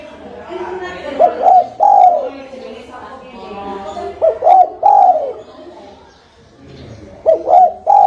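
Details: Spotted dove giving a lure call used for trapping: three phrases, each two short hooting coos then a longer, slightly falling coo, spaced about three seconds apart, over a steady low background rumble.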